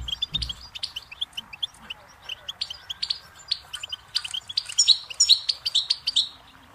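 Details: Goldfinch song from a tape meant for teaching chicks and songbirds: a busy, irregular stream of bright high chirps and twitters, roughly two or three notes a second, growing denser and louder near the end, with faint background hiss.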